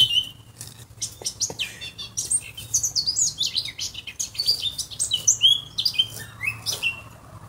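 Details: Bright, hurried warbling from a Eurasian blackcap: scratchy chirps blend into clearer whistled notes, running almost continuously for several seconds.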